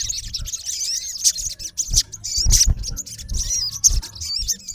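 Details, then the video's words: Olive-backed sunbird male calling to a rival: continuous high, squeaky twitters and chirps with faint low thumps beneath. "MALE SUNBIRD CALLING RIVAL -SOGON GACOR MEMANGGIL LAWAN KASAR"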